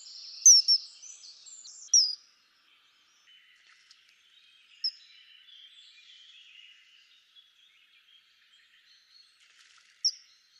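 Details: Common kingfisher with a burst of piercing, downslurred whistles at the start and another near two seconds, then lone thin high notes at about five and ten seconds, with quiet gaps between.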